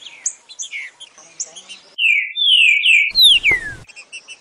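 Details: Green-winged saltator (trinca-ferro) at João Molevade sings a loud run of rich, slurred whistles that swoop downward, after a soft stretch of quieter chirps.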